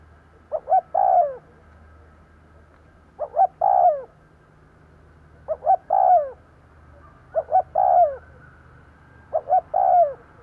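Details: Decoy spotted dove calling to provoke wild birds. Five regular phrases come every two seconds or so, each a pair of quick notes and a mellow, descending drawn-out coo, with a low background hum.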